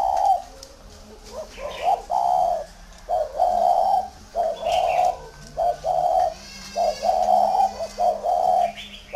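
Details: Big tame spotted dove coos loudly and persistently, a run of low, rich, burry notes in short-long pairs, close to one per second. Faint twittering of other birds is in the background.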